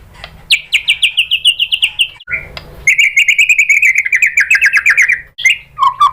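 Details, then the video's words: White-rumped shama lure song to set other shamas singing: two long rapid buzzy trills, the first sliding gently downward, separated by a brief lower note, ending with short whistled flourishes. "MURAI BATU APAPUN SPONTAN NYAUT ¦ PANCINGAN MURAI ¦ SHAMA BIRD"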